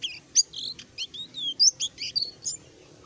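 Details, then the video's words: Selendang biru songbird, kept by bird-song hobbyists, beginning to sing in full voice: a lively run of about ten sharp, high whistles and chirps in three seconds, some sliding downward, others clipped and bright, over a quiet background. "burung selendang biru mulai buka paru gacor"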